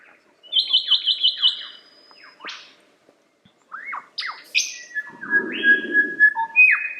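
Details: Lyrebird song opening with a fast trill of repeated whistled notes, then falling slurs, a quiet pause, and a lively mix of rising whistles and sustained tones.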